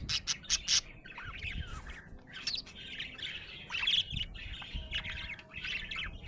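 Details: Happy budgerigar chirping: bursts of warbling, chattering notes mixed with short squawks and sharp clicks, steady low background rumble.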